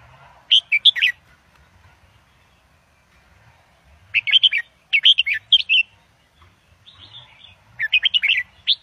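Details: Red-whiskered bulbul, caged Indo-double songster, singing for young birds to learn: energetic phrases of rapid, rolling whistles, three clustered bursts in the middle and a final run of quick notes.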